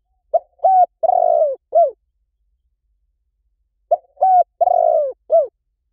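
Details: Spotted dove lure coo, said to work fast in any forest: the same four-note phrase twice, about three and a half seconds apart, each with a soft opener, held hoot, rolling falling coo and a short arched end.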